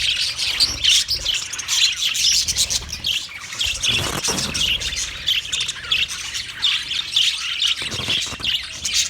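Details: Budgie flock chatter dated 29 February 2024: rapid shrill chirps and squeaky trills run on without a break, with a brief soft thump near the middle.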